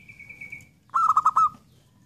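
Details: A zebra dove gives one soft, stuttered cooing phrase of four or five rapid notes ending in a short trill, preceded by a thin, higher steady tone.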